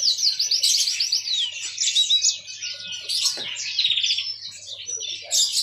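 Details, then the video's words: Yellow-fronted canary, a pet finch prized for its melodious song, pouring out bright chattering warbles and quick trills in bursts, with a short dip in volume near the middle. "Ocehan burung mozambik"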